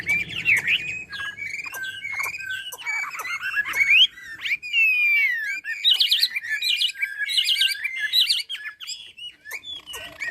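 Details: Chinese hwamei from Ha Giang, Vietnam, in full song: a loud, varied run of rich whistled phrases, slurred notes and rapid trills, punctuated by sharp clicking ticks.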